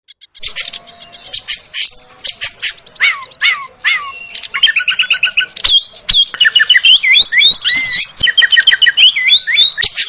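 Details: Oriental magpie-robin song played as a lure so kept magpie-robins start singing and gain confidence. Varied rapid phrases: sharp descending whistles and buzzy notes, then dense runs of looping, warbled whistles that grow steadily busier toward the end.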